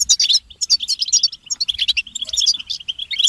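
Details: European goldfinches in group twittering (butbata), meant to stimulate males to sing: dense bursts of bright, tinkling chirps and trills, rapid and overlapping, with brief pauses between flurries.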